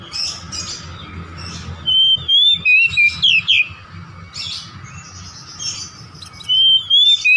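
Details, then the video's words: Oriental magpie-robin song used as a lure to draw out a home-kept bird's repertoire: loud clear whistled phrases in short bursts, rising and falling, with pauses and softer chirps between, over a steady faint hum. "PANCINGAN KACER UNTUK BONGKAR MATERI KACER RUMAHAN"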